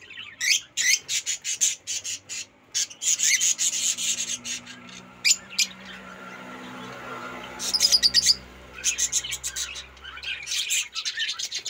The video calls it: Rosy Faced Lovebird Chirping Sounds